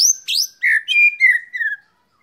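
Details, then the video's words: Sunned white-rumped shama giving a loud, rich phrase of high sweeping whistles, then steady, slightly falling whistled notes that fade out after under two seconds. "jemur murai batu"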